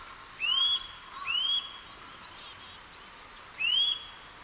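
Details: Eurasian nuthatch from Japan giving three rising whistles, each a smooth upward slur that flattens at the top, the third after a longer pause, with faint hissing ambience behind.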